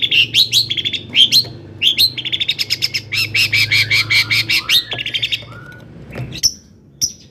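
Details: Long-tailed shrike singing loudly to stir up other shrikes: quick chirps lead into a dense, buzzy trill lasting about two seconds, followed by descending slurred notes and two thin, high whistles, with a low hum behind.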